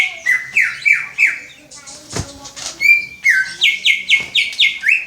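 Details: Greater green leafbird learning the "Om Telolet Om" tune: clipped whistled notes stepping down in quick succession, a soft sharp click in the middle, then a faster burst of level, horn-like notes to the end.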